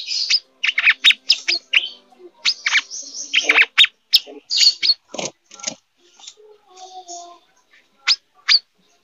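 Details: Brown-throated sunbird, a bird in breeding condition, delivering an irregular burst of sharp, high, scratchy chirps and short twitters, loud at first, then sparser, softer notes with brief pauses.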